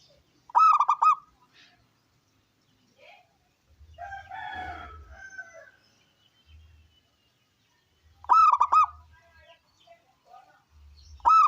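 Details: Zebra dove of local wild stock, strong-voiced, cooing to prompt other doves to sing. Rolling, vibrating coo phrases open and close the stretch, and a fainter warbling bird call fills the middle.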